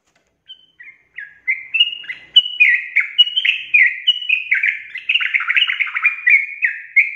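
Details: Sooty-headed bulbul starts with a few soft notes, then bursts into a long ropel song of rapid whistled slurs, growing denser and more jumbled toward the end; no other sounds.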